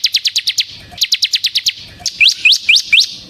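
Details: Bar-winged prinia song used as a lure for other prinias: two quick series of about six high down-slurred chips each, followed by four louder upward-sweeping whistles.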